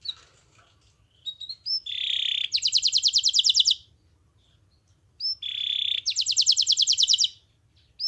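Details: Canary (kenari) master song for training other canaries to sing: short whistled notes leading into a buzzy tone and a fast rattling trill, the phrase repeated twice with silent pauses between.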